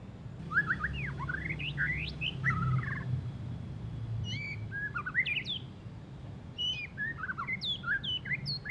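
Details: White-rumped shama singing after its moult, still twittering coarsely: bursts of tumbling whistled phrases, quick upslurs and downslurs grouped in clusters separated by brief gaps, over steady low hum.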